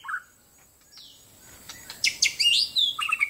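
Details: Caged white-rumped shama, one month after completing its moult, singing in answer to a wild shama: scattered sharp whistles and bright rising and falling notes, quiet at first, then a dense burst of high varied phrases.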